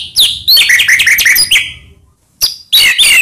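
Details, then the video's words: Excitable white-rumped shama lure song: a dense tumble of varied whistled and chattering notes for about two seconds, a pause, then two more short bright bursts. "Murai Diam Langsung PANAS Dengar Pancingan Ini"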